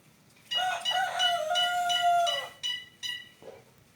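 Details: A bird described as a strange species gives one long, harmonic, slightly wavering call of about two seconds, then three short, clipped notes in quick succession.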